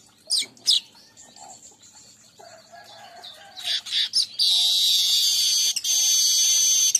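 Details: Weaver song meant to lure weavers: two sharp chips and quiet twittering, then rising chatter that runs into a long, loud, harsh sizzling buzz to the end.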